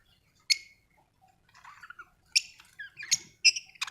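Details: Budgie chirps: sharp clicky notes at irregular intervals mixed with soft warbled twitters, growing busier in the second half.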